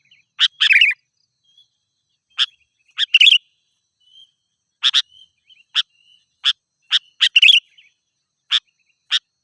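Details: Sooty-headed bulbul, chatty lure song: a steady series of short sharp chirps and occasional gurgled doublets, repeated about every half second to second.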